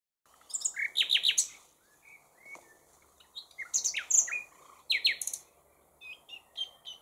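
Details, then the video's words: Common nightingale singing: bursts of rich, varied phrases with sharp chirps, fast rattling notes and brief whistles, grouped in three loud bouts separated by short pauses, in a quiet setting. "Chant du ROSSIGNOL PHILOMELE"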